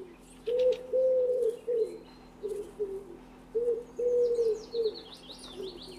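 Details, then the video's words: A common wood pigeon gives low, husky coos in a rhythmic phrase of one long note and several shorter ones, repeated twice, with faint high twittering from other birds behind. "Вяхирь / common wood pigeon (Columba palumbus)"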